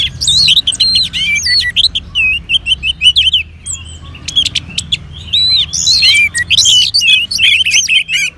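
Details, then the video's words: An orange-headed thrush (Geokichla citrina) gives a rich, varied, high song of fast whistled phrases, trills and sharp chips in quick bursts while being stimulated with colony bird sounds; other birds are possibly mixed in. "Merangsang ANIS MERAH Agar Mau Berbunyi"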